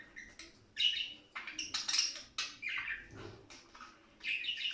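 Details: Budgerigar song from birds described as mating: lively, scratchy warbling with sharp chirps and buzzy squawks in uneven bursts about half a second apart, played to encourage other budgies to breed.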